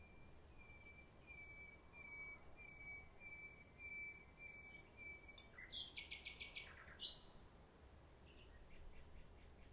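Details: Common nightingale delivering a row of soft, evenly spaced whistled notes that build into a dense, rapid rattle and a few sharp closing chips, heard faintly at a distance.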